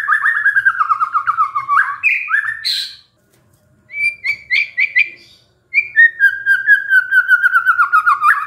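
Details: White-rumped shama, reportedly stressed and singing at once on hearing a lure: rich, varied song of fast chattering whistles, sliding notes and squeaky phrases, a pause, then bursts of rapid repeated notes and a descending trill-like run.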